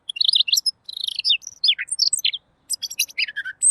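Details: Clear-voiced Robin song for training other songbirds, a dense run of sharp high chirps, quick down-slurred notes and twittering fragments, nearly continuous with one short gap.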